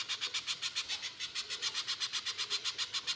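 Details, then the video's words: Little spiderhunter (pijantung pisang) in gacor 'mbeset nembak kasar' style, used as a lure to get other spiderhunters singing: an evenly spaced run of harsh, buzzy chips, almost four per second, steady throughout. "Pijantung Pisang Gacor Mbeset Full Nembak Kasar, Pancingan Pijantung Agar Bunyi"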